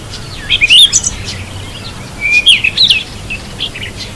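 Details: Bathing Cape robin-chat giving a few quick, high, squeaky chirps in two short clusters, the second a thin rising note followed by twittering.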